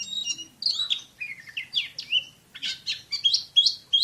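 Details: Champion Oriental magpie-robin shooting fast, tight song: descending whistled slurs followed by quick bursts of harsh, scratchy high notes.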